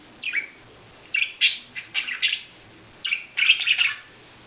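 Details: Budgerigar uttering short, separate raspy chirps in little clusters, about seven bursts with clean silent gaps between them.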